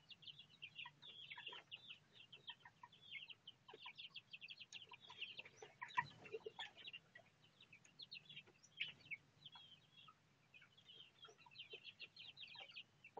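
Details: Four young Bangkok game chickens, 1 month 26 days old and hatched on 26 September 2013, give high, thin peeping calls in quick overlapping bursts.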